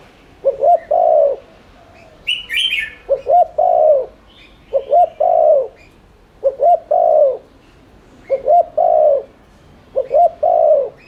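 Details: Continuous spotted dove cooing used as a lure: six regular phrases of a quick double coo and a long falling coo, about every 1.6 seconds, with one burst of sharp higher chirping.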